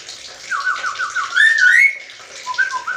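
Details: Black-capped lory, reported to talk like a human, uttering a quick run of short repeated whistled notes that climbs into a longer bright whistle, then two softer notes, over a rushing water-like hiss.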